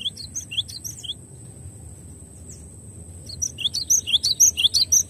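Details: Cinereous tit (gelatik batu) in a clear masteran tutor recording: bright high whistled two-note phrases, a short burst, a pause, then a longer fast run repeated about twice a second.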